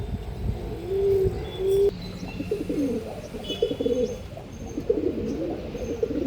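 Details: Andhra line pigeons cooing: two drawn-out rising coos, then a stream of shorter bubbling, wavering coos, with faint high chirps from small birds in the background.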